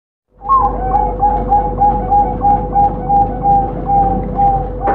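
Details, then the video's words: Captive champion zebra dove at a bird farm in Sidoarjo, Indonesia, prized for a clear voice with precisely timed pauses; short, clear cooing notes repeat about three times a second in an even series over a steady low hum. "PERKUTUT JUARA SUARA JERNIH dengan jeda akurat"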